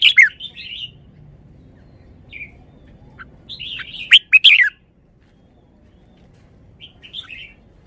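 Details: Caged red-whiskered bulbul showing its song phrases: short whistled, warbling notes open the clip, a few soft isolated calls follow, then a loud rapid burst of rich chirps just past four seconds, and a quiet closing phrase.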